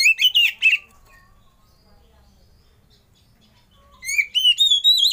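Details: Oriental magpie-robin lure and master song for prompting other birds to sing: a burst of loud, varied whistled and chattering notes, a silent pause of about three seconds, then rising whistled phrases with clear slurred notes.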